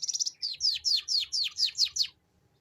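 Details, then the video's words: Canary singing a ngeriwik lure phrase: a quick run of high chirps, then a series of steeply falling whistled sweeps repeated about every fifth of a second, ending abruptly. "Suara Pancingan Burung Kenari Ngeriwik"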